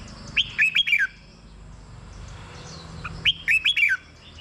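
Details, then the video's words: Red-whiskered bulbul song for stimulating caged birds: two quick phrases of bright, bouncing whistles, each under a second long and ending on a falling note, about three seconds apart. "เสียงนกกรงหัวจุก สำหรับต่อ หรือ เปิดให้นกคึก เสียงเพราะๆ"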